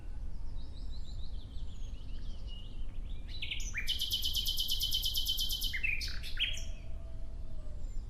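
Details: Nightingale singing clearly: soft, scattered whistles, then a dense, fast, buzzy trill of rapidly repeated notes for about two seconds, finished off by a few sharp, higher notes.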